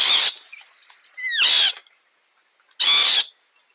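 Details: A bird seen only as a blur on a jungle trail camera gives harsh, broadband alarm screeches about every one and a half seconds, with a brief higher whistle-like note between them, probably at a large coiled fer-de-lance viper nearby.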